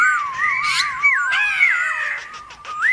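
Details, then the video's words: Black-throated laughingthrush in forest-style song meant to excite rival laughingthrushes: continuous clear whistling that wavers up and down, with bending slides and a short rising note at the end. "Khướu bạc má HÓT GIỌNG RỪNG KÍCH MÚA nhiều giọng cực hay kích khướu bạn căng lửa"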